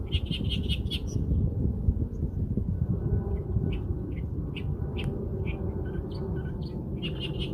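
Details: Bird chirps in short bright bursts, a quick cluster in the first second, then scattered single notes over a steady low rumble of background noise.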